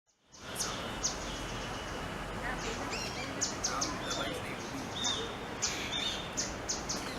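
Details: Grey-headed canary-flycatcher, wild winter visitor from the Himalayas, foraging at Sundarvan, Ahmedabad, giving excited calls that announce its presence: sharp, very high chips repeated irregularly over steady broad background noise, with lower twittering from other birds.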